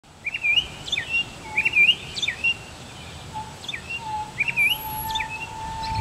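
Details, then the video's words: American robin singing from a neighbour's tree. It gives short, clear, whistled caroling phrases, each a quick rise and fall, separated by brief pauses, over a steady low hum and faint background noise. "American robin singing"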